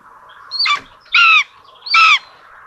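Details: At a common buzzard nest in Tiszalök, Hungary, 26 June 2022, where two chicks get rabbit for breakfast: three short harmonic squealing calls, evenly spaced, over soft background bird twitter.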